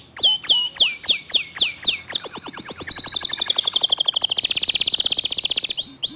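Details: A local canary sings a fast 'tembakan' phrase in a clear voice. Sharp downward-sliding notes speed up into a long rapid trill that slowly falls in pitch, then two closing notes.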